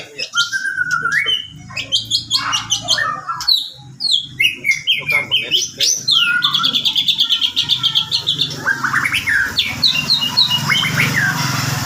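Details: White-rumped shama pouring out a long, rich song of varied whistles, quick chips and rapid high rattling trills, phrases changing every few seconds, with a steady low background rumble.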